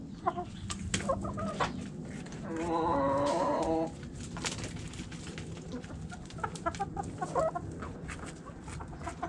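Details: Backyard chickens cluck quietly while a single drawn-out squawk of about a second rises above the coop's low background hum.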